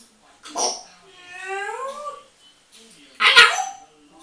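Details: A talking female grey parrot, 8 years old, chatting away to herself in a bathroom: a short breathy burst, a wavering human-like tonal phrase that rises and falls, then another harsh burst.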